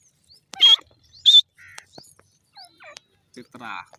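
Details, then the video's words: Grey francolin giving two loud, piercing high notes in quick succession, followed by fainter, scattered chirping notes. "dakhni teetar ki awaaz,lovely gora teetar bird sound"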